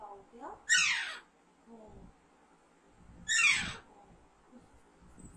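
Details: Pet baby Alexandrine parakeet, reared from a young age, gives two harsh, raspy downward-sweeping squawks nearly three seconds apart, while quiet human talk carries on in the background.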